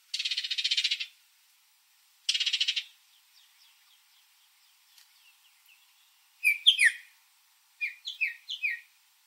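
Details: Baltimore oriole in a backyard where it returns every year to feed on put-out grape jelly; two buzzy rattling chatters, a pause with faint notes, then clear whistled phrases of falling and rising notes.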